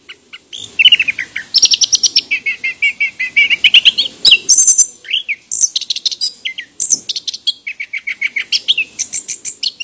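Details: Chestnut-capped thrush, known locally as anis kembang, a forest songbird of Southeast Asia, delivering a long fast run of high, sharp chirps mixed with whistled trills and sliding squeaky notes, almost without breaks.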